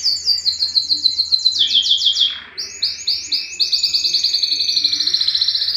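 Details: A yellow canary sings quick repeated trilled notes that slide downward, a brief dip, then a new high rolling trill that speeds up toward the end.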